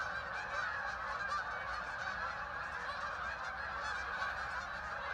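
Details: Thousands of ducks flying in and landing on the water at Hockanum River Linear Park, Vernon, Connecticut, heard from a walking trail: a dense, unbroken din of overlapping honking and quacking calls.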